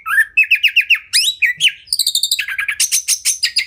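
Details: Kacer (oriental magpie-robin) masteran song packed with 'tembakan' phrases, used to tutor caged birds: a run of quick rising chirps about five per second, a sweeping whistle, then fast buzzy, high repeated notes in steady rhythm.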